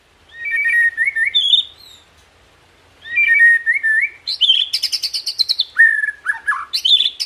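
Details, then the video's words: White-rumped shama (murai batu) song with bright whistled phrases rising and falling, a pause, then a burst of varied whistles, rapid high chatter and swooping notes. "Tembakan & Isian Murai Batu // AmAzing Bird chirping like no tommorow"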